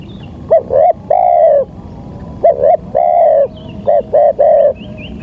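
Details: Local spotted dove lure sound for trapping: three rhythmic phrases, each two or three short coos leading into a longer sustained coo, loud and clear above low hum.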